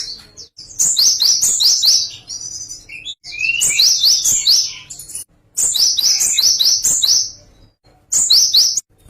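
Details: Song variation of a Java sparrow, given as four separate bursts of rapid, high, clicking chirps, each lasting one to two seconds, divided by short silences.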